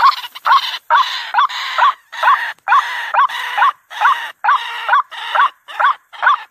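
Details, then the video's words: White-breasted waterhen at night, a lure recording: loud, raspy, slurred phrases in quick uneven bursts, some notes run together into longer croaking calls, noisy and broad in tone. "SUARA RUAK RUAK|BURUNG RUAK DI MALAM HARI"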